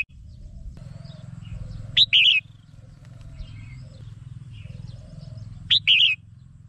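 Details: Red-whiskered bulbul (Pycnonotus jocosus) song: two short, bright, warbled phrases about four seconds apart over a low steady hum, with faint chirps between them.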